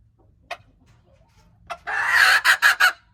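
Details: Hen crowing, recorded January 21, 2025: two short sharp notes, then a loud, harsh, drawn-out crow that breaks into three pulsed syllables at the end.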